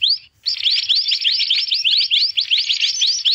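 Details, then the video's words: Mantenan calls used as a trapping lure, described as noisy: rapid, sharply rising upslurred chirps repeated several times a second after a brief opening note and pause, continuous and bright. "Suara burung mantenan ribut cocok buat mikat"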